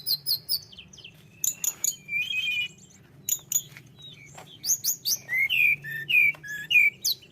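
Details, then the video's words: Tledekan gunung in active song, scattered sharp high chirps and buzzy notes, then a series of bouncing, lower whistled phrases repeated several times. "tledekan gunung gacor"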